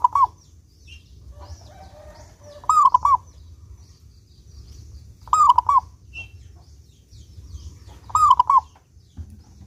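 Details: Zebra dove (perkutut), a clear-voiced local bird used as a lure for other doves: four rhythmic coo phrases, each a rising note then two hoots, about every 2.7 seconds, with quiet chirping of small birds.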